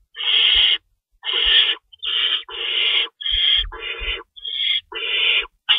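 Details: Owls at a nest at 3:53 AM on March 25, 2012, during feeding time with prey in the nest pantry. About nine harsh, hissing screeches, each around half a second long, follow one another with brief gaps between them.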